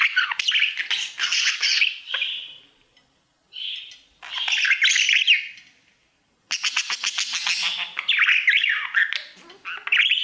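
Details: Male budgerigar kept as a pet, singing to his mirror: bursts of harsh chattering squawks and twittering notes, separated by two short silences, rapid and irregular throughout.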